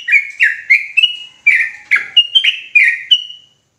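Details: Sooty-headed bulbul in insistent ropelan song, sounding agitated: a continuous run of about a dozen quick, liquid notes, each dropping in pitch, some clipped and some drawn out, finishing with one longer whistled note.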